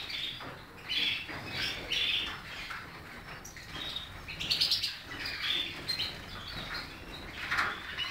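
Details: European goldfinch song of quick liquid twitters and short chirping notes, delivered in uneven bursts about once a second with small pauses between phrases.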